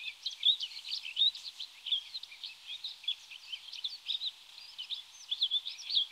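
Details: Rustic bunting (Emberiza rustica), known locally as 田雀, gives a continuous stream of high, quick chirps and warbled notes, irregular in pattern and sustained for over six seconds.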